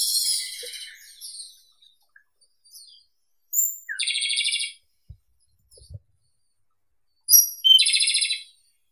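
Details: Japanese robin (Larvivora akahige) singing twice: each phrase opens with a thin, very high note and runs into a rapid, dry rattling trill, with a few soft low knocks between.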